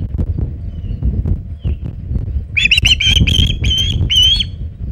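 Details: At the Hog Island nest on 27 August 2019, near 3:50 pm EDT, an osprey with a big shad: low rustling, then a burst of six piercing whistled chirps, each slightly upslurred.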